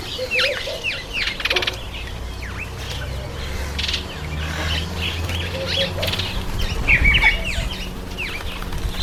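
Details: Masked weavers in breeding season, September and October, producing dense colony chatter of quick downslurred squeaks and buzzy rattles, many notes each second, with fluttering sounds and a low background rumble.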